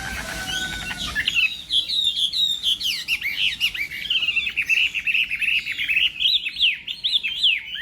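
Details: Chinese hwamei singing in a contest during morning voice training, delivering rich, fluid whistled phrases with quick rising and falling slurs, rapid repeated notes and trills. A brief lower whistle and rustling are heard at the start.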